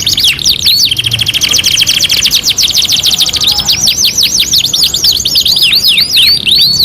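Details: Canary singing a dense, rapid trill of short repeated notes for several seconds, followed by a series of looping up-and-down whistled slurs, all bright and high-pitched.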